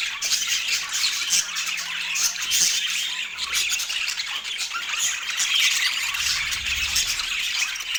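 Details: Pet parakeet squawking and chattering while fed on an autumn morning, a harsh, continuous high-pitched babble with rapid irregular pulses.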